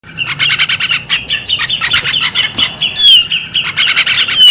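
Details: A female bearded magpie-robin gives fast, scratchy chattering bursts of about eight notes a second, broken by a few sharp whistled slurs near the end.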